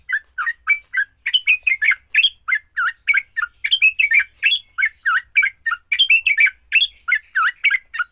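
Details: Sooty-headed bulbul giving a fighting song meant to quickly provoke other bulbuls into singing: a steady stream of short, chattering, bubbly notes, some slurred upward, repeated roughly every quarter second with no other sounds.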